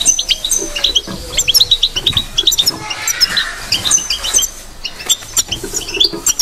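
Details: Fast tinkling batbata chatter of a European goldfinch, crisp high notes and trills strung together continuously, with a soft rushing noise midway and faint low rumble.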